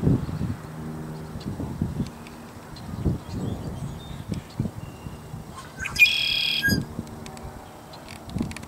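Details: A male Red-winged Blackbird (Agelaius phoeniceus) at Grand Forks, North Dakota, on 8 May 2010, gives a single harsh, buzzy song: short opening notes, then a rattling trill about half a second long, over low rumbling wind noise.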